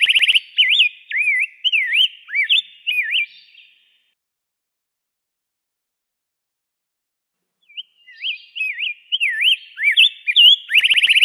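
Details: Warbled whistles from a rose-breasted grosbeak, a quick string of looping up-and-down notes for about three seconds, silence, then another flowing phrase closing on a rapid buzzy flutter.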